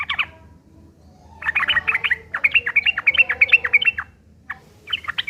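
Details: Fighting song of a yellow-vented bulbul, a rough, chattering lure to get other birds to respond: a short opening note, a pause, then a long busy stream of quick, sharp chirps, with a final brief flourish.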